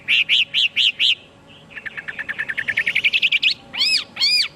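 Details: Chinese hwamei singing: five loud, bright repeated notes, a short pause, then a quick rising trill of about fifteen clipped notes, ending with two sweeping, ringing whistles.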